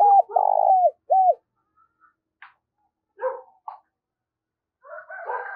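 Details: Spotted dove kept as a decoy, calling fast to stir up wild birds: one loud phrase of flat, throbbing and falling coos, followed by scattered faint chirps and rustling sounds.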